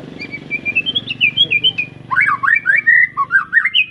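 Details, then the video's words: Young white-rumped shama, recently moulted out of juvenile plumage, of an Arko line from Pemalang, Indonesia, gives soft rising whistles over a low murmur, then bursts into loud fast slurred whistled phrases swooping up and down. "Kicau Murai batu lepas trotol,suaranya heboh"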